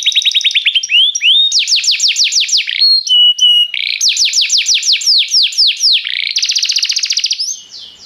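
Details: Restless canary song: a trilled opening, repeated falling whistled sweeps, a couple of flat held notes, then a fast buzzy trill before it fades out at the end.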